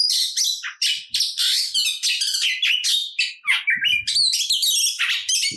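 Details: Oriental magpie-robin giving a dense fighting song to provoke rivals: continuous scratchy chatter mixed with piercing whistles and trills, a few soft low thumps in the background.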